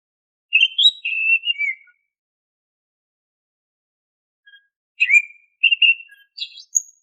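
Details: Oriental magpie-robin lure song for caged birds: a warbled phrase of linked whistles, a long pause, then a swooping whistle, steady doubled notes and high rising chirps to finish. Background silent.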